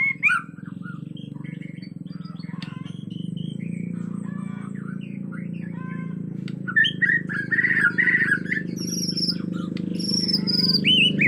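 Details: Agitated white-rumped shama from Borneo in forest; varied whistled and chattering phrases, some high sweeping notes, over a steady low droning hum throughout.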